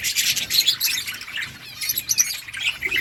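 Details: Several budgerigars chirp and chatter to each other: a dense, continuous warble of high, buzzy twitters and squeaky notes that overlap without pause, rising and falling in loudness, with a faint steady high hiss behind.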